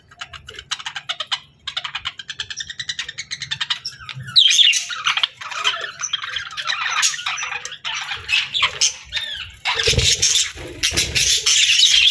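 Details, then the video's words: Happy, friendly pet budgie chirping and singing: quick, evenly spaced clicky ticks give way to a dense, continuous, scratchy warbling chatter that grows louder toward the end. "Happy Budgie Sounds"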